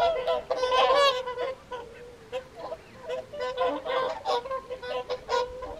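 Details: Whooper swans calling during the January evening feed at WWT Caerlaverock's Folly Pond; a loud burst of harmonic honks at the start, then scattered trumpeting calls from several birds.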